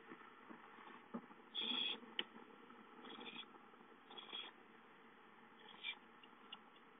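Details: Owlets playing at home and calling for food, dated 5-9-13: one strong hissing screech followed by several weaker rasps, with scattered clicks and shuffling from movement in the nest.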